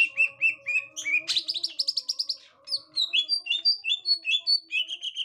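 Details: Green leafbird of the gotri type, reacting on finding a young wild green leafbird: rapid, sharp chirps and short whistled notes repeated several times a second, with a brief rising buzzy burst partway through and a faint steady hum beneath.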